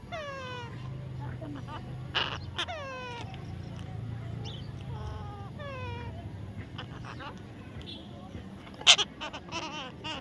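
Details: Baby parrot making a series of squeaky, harmonic calls that swoop downward, repeated in short bursts every second or two, with a few sharp clicks and a faint low rumble underneath.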